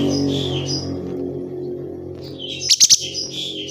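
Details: Unpaired lovebird, not yet matched with a partner, giving high bright chirps: a warbling burst at the start, then a quick run of sharp piercing notes and twittering toward the end over a steady low hum.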